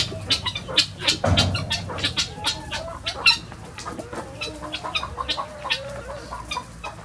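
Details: Chickens let out of their coop at dawn to free range, with a dense stream of quick clucks and squawks from many birds and a brief low thump of movement.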